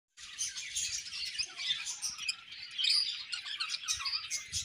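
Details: Pet budgerigars during pairing, chattering in a continuous warble of bright, scratchy chirps and squeaky notes with a few clearer whistles, steady for several seconds after a brief silent start.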